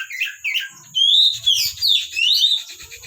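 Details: Oriental magpie-robin from a kept bird collection in lively song, a rapid run of sweeping, slurred high whistles rising and falling without pause over a steady faint electrical whine.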